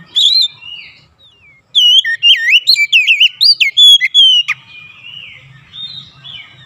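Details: Singing Oriental magpie-robin used to prompt other magpie-robins to sing: a fast run of loud, wavering whistles and sharp upslurred notes, tapering into soft, drawn-out phrases with a faint low hum.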